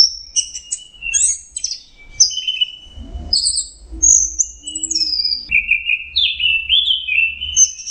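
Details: Orange-headed thrush in full teler song, a training recording for songbirds: rapid varied whistles and short sharp notes in quick succession, ending in a run of rising and falling warbled phrases over a faint low rumble.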